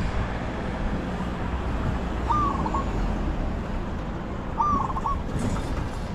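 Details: A spotted dove in a decoy luring session gives two stuttering coo phrases about two seconds apart. Steady loud hiss, like wind or rain, covers everything.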